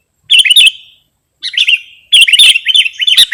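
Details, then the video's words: Sooty-headed bulbul song from a recording meant for luring or tutoring birds: three bursts of bubbly, warbling notes, each rising and falling, separated by short silences, with no other sounds. "Suwara Mp3 Sangat Cocok Buwat Pikat/ Masteran Burung Kutilang"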